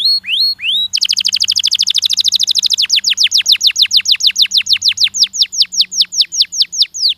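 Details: Stimulating canary song with a few rising whistles followed by a long fast trill of sharp slurred notes that gradually slows into spaced downward sweeps, a low electrical hum in the background.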